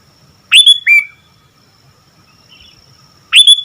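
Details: Sooty-headed bulbul in active song: a loud phrase of a rising whistle and a lower slurred note, a faint chirp, then the next phrase beginning about three seconds later. Background otherwise quiet.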